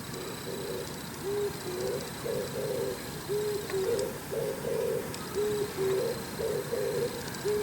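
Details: Oriental turtle dove calling in the morning while preening on top of an antenna: low, hoarse coos in a steady rhythmic phrase repeated over and over, with a faint high electrical whine behind.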